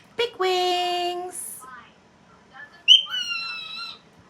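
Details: Indoor cockatiel (Nymphicus hollandicus) talking: a high, nasal imitation of the phrase "big wings", a hissed ending, then a bright rising-and-falling whistle.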